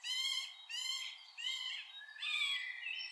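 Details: Middle spotted woodpecker in Liepāja, Latvia, November 2023: long nasal, harmonic squealing notes, each about half a second, given in four drawn-out bursts with short gaps between them.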